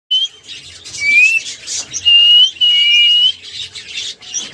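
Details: Caged cockatiel replying to sounds, giving clear rising whistles in short phrases, one slurred upward whistle followed by longer steady whistles, with softer chatter between them.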